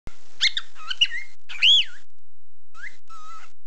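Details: Caged pet budgerigar singing to itself in front of a mirror, recorded February 2008: short bursts of warbled chirps and a looping whistled note, then soft falling whistles after a pause.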